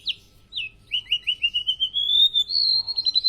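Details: Golden-bellied gerygone from Indonesia delivering lively filler song: a few descending whistles, then a quick run of short notes flowing into a long, gradually rising whistled trill that ends in rapid repeated high notes.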